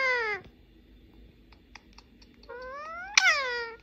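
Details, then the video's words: A pet ring-necked parakeet talking with a mobile phone in Persian and English gives two drawn-out, nasal, voice-like utterances, one falling and one rising then falling, with soft tapping clicks between them. "Ringneck parrot Having Fun And Talking With Mobile In Persian and English"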